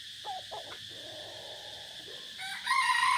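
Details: Red junglefowl used as a decoy, heard 3 April 2024 in forest: soft distant notes first, then a loud, rasping crow bursts in near the end over constant hiss.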